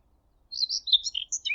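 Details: Common Whitethroat singing at Thurrock Thameside Nature Park after landing on an overhead power line by the railway, close to the observers; a short scratchy, chattering phrase of quick high notes that jump up and down.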